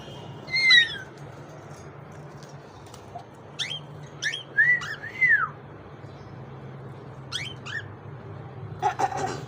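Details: Cockatiel whistling: a few short, clear whistled notes, some sharply rising and falling, with a pair of arched up-and-down whistles in the middle and brief chirpy sweeps between long pauses, over a steady low background hum.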